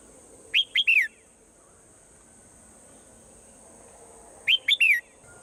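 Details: A swallow in the morning gives two identical triple-chirp phrases about four seconds apart, each ending in a drawn-out falling note, over a constant high hiss.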